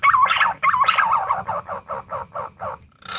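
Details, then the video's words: Pink-necked green pigeon giving warbling, wavering whistles: two longer looping phrases, then about seven shorter quavering notes in quick, evenly spaced succession. "SUARA PUNAI DAUN"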